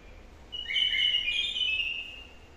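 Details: Caged bulbul, a wild-caught bird newly brought into song, with a warbled phrase of about one and a half seconds, a bright, varied stream of notes over faint background hiss.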